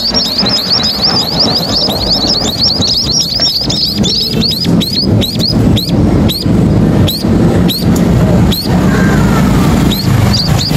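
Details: Munias at a main roadside give thin, high chirps in quick bursts, several birds calling over each other, against a steady roar of passing road traffic.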